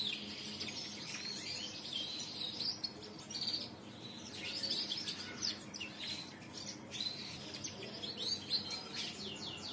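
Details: Canary with a lure song, Indonesian song-bird hobby: bursts of sharp high chirps and clustered trills, loud phrases every second or two with quieter twittering between.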